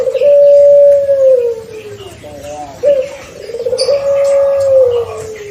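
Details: Early-paired six-month-old pelung Barbary dove utters two drawn-out coos: a level, sustained hum that tapers lower, a pause with a sharp rising note, then another long gently falling tone.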